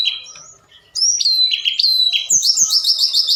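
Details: At night, a forktail gives a lure song that makes other birds respond. A soft opening fades out, then loud, quick chattering whistles and a fast high trill follow.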